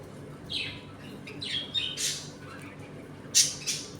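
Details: Pet budgerigars in a home colony during feeding and play: a few separate harsh squawks and rasping chirps, one loud burst near the end, spaced by quiet indoor background.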